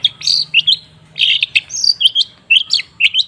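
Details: Long-tailed shrike (cendet) song used as a lure to get silent birds singing: bursts of bright, slurred and chattering notes in quick clusters, separated by short pauses, with a faint low hum underneath.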